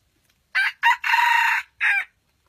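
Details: A wild red junglefowl rooster, one of a pair, crows in four hoarse, clipped bursts, the long middle note held.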